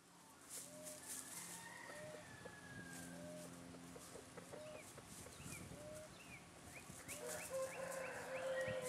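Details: A Phoenix hen and male chicken (BBRED colour) give soft, quick clucks, several a second, with higher chirping notes and a drawn-out tone near the end.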